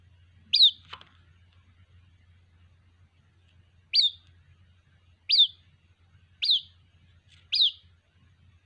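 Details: A white-breasted waterhen chick calls its mother: one high peep, a three-second pause, then five more shrill downslurred peeps about a second apart, with a steady low hum behind.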